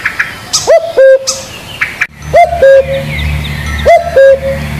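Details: Spotted dove giving three paired coos, a short rising note then a flat sustained note, over a low rumbling hum and faint bird chirps.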